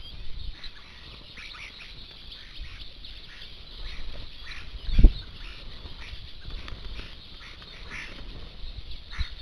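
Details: A flock of about 70 common starlings at a garden feeding station, some in surrounding trees, gives steady, overlapping chatter of short clicks, squeaks and rasps over low rumbling wind noise, with a single loud knock midway.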